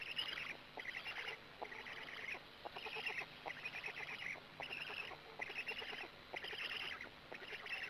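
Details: Black stork nest in Gemenc, evening of 13 May 2017 at 20:04, during arrival and feeding: regular harsh, nasal buzzing bursts, about eight in eight seconds, separated by short quiet gaps with faint clicks.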